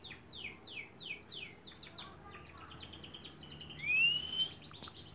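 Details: Canary song used as a long training recording for songbirds: a quiet run of quickly repeated, downward-sweeping chirps, then a brighter rising whistle near the end, over faint background hiss.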